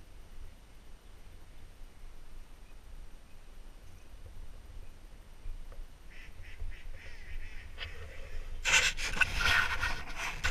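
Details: Wild ducks, mallards, black ducks, teal and wood ducks, at first light in North Carolina; scattered raspy quacks build after six seconds into a loud, harsh burst of overlapping quacking over the last two seconds, over a steady low rumble.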